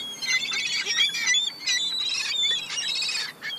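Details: Several young gulls squabbling over crumbs give a steady, overlapping stream of shrill whistled squeals and short squawky notes, repeated about every second with little break.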